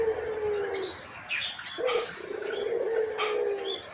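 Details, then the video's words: Hoarse-voiced white collared dove, an albino bird kept as a pet and calling actively; two long, low coos separated by a short pause, with scattered higher chirps from other birds behind. "Burung Puter Putih Gacor Suara Serakh"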